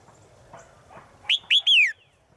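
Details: Female bird calling to a male in the forest, a caged-bird recording: faint murmurs, then three loud clear notes, the last a long whistle sliding downward.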